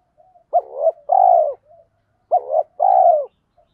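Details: Spotted dove lure bird with a 'thổ pha' voice, cooing rapidly like a sewing machine to provoke wild males to coo back. Two phrases, each a short clipped double note followed by a longer, steady, mellow coo. Quiet background.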